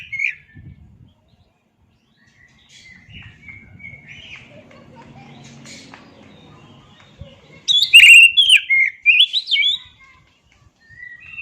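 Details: Oriental magpie-robin in a recording of its original voice: soft, scattered notes over a faint low hum, then a loud two-second burst of quick, varied whistles and chirps, a short pause and a brief closing note.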